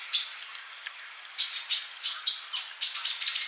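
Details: Rapid sunbird song for training birds to sing: two sharp high whistles, a pause, then a quick run of bright, clipped chirps that speed up and tumble together toward the end.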